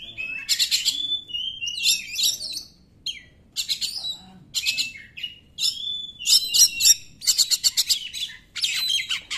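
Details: Oriental magpie-robin song played as a lure to make reluctant magpie-robins sing: rapid high-pitched phrases of chattering, trilled and whistled notes in bursts separated by short pauses.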